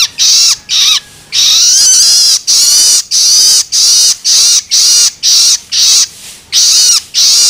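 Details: Begging of a young long-tailed shrike, used to stimulate adult birds: a long, noisy rasp early on, then a rapid series of about a dozen hoarse, buzzy squeals at an uneven pace.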